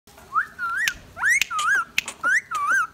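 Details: Pet male Indian ringneck parakeet that talks, whistles and laughs; a run of clear, wavering whistles rising and falling, repeated about once a second, with short sharp clicks between them.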